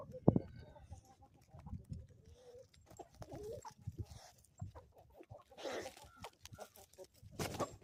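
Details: Chickens on a homestead in the Ozarks, morning: soft clucks and brief tonal notes, with a sharp loud click near the start and a rushing burst later.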